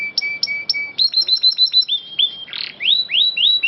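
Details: Canary song recorded as a master recording for training birds, from a long-rolling singer: bright, high, sharp chirps, then a rapid run of repeated notes, a harsh buzzy burst and rising upswept whistles, loud and clear.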